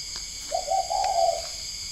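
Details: Spotted doves at a bird-breeding farm in Ba Vì, Hanoi, Vietnam, at 10 p.m.: one low, mellow, slightly wavering cooing phrase about a second long, over a steady high-pitched electrical hum.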